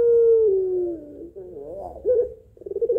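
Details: Pelung Barbary dove calling to a male: the tail of a long coo drops in pitch, then wavering rough notes and a series of short pulsed coos follow.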